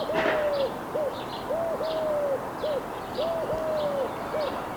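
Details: Wild Eurasian collared dove cooing in a steady three-note rhythm, short-long-short, low and mellow, with the phrase heard three times against faint high twittering in the background.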